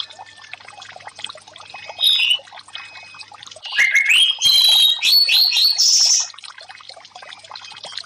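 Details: Caged orange-headed thrush singing as therapy audio for birds that have stopped singing from stress: a short high phrase near two seconds, then a run of loud, varied, whistled notes stepping up and down, over steady trickling water.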